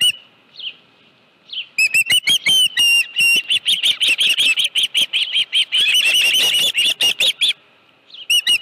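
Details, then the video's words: Osprey at a nest on Dunrovin Ranch, 25 July 2018, 5:23 PM, with a live fish present. A few soft whistles lead into a long, intense run of high, rapid, piercing chirps, then quieter notes. "Dunrovin Ranch Osprey Nest Video_2018-07-25_174852-live fish 5.23 PM"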